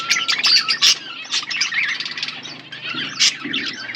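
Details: A pair of pet budgerigars chirping: dense, warbling chatter of rapid high chirps and short squawky notes, continuous throughout with a few louder bursts.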